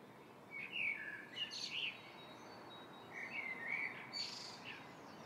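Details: Pair of Indian grey hornbills seen from a window: two bursts of high squealing, slurred calls, each a short series of harsh rising and falling notes, with a faint background hiss.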